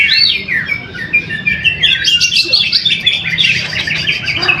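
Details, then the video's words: First-place greater green leafbird singing at a weekly practice contest in Trowulan, Mojokerto, Indonesia. Its song is a varied, quick warble of looping whistles and chattering notes, becoming denser and busier toward the end, with low background murmur. "AKSI PENAMPILAN EPIK BURUNG CUCAK HIJAU"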